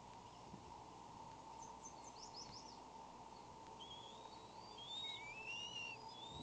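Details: Eaglet wheezing at a nest at Fort St Vrain on May 17 with an intruder nearby, caught by a nest camera: thin, high whistled notes sliding up and down in short runs, over a steady electrical hum.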